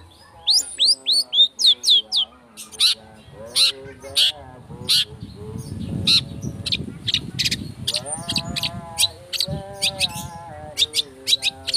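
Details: Long-tailed shrike lure song in speed rapet style: a run of hooked high whistles, then spaced sharp chips over lower warbled harmonic phrases and a low rumbling background in the middle section.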